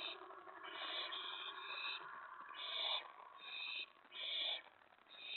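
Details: Owl at the nest during a predawn mouse delivery on May 15, 2017: about six raspy, hissing screeches, some overlapping into longer rasps, over a continuous broad background hiss.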